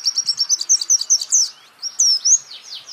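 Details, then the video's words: Pleci, a white-eye, singing for songbird training: quick series of high chattering notes, a short gap, then loud downslurred whistled phrases. "pleci Jawara Pake Masteran ini jamin Geter-GETER!!!!!"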